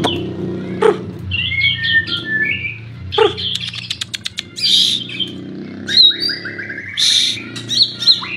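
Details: White-rumped shama singing varied whistled phrases, rising and falling between mid and high pitches, with a quick rattling burst in the middle and sharp high notes toward the end; low steady background hum throughout.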